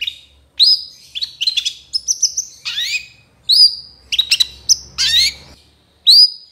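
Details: Long-tailed shrike (cendet) in trotol style used for training birds: clean whistled upslurs and downslurs separated by quick chirps, phrases spaced with short gaps, over a soft low background rumble.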